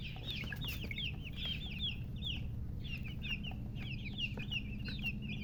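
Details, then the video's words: Freshly hatched chicks of domestic chicken peeping loudly: many sharp, high, down-slurred chirps tumbling together, with a short lull mid-clip, over a low hum. "Tot Murgi chicks chirping sounds Just Born Baby Gallina FRACAS Chicks Piar Loudly Sound"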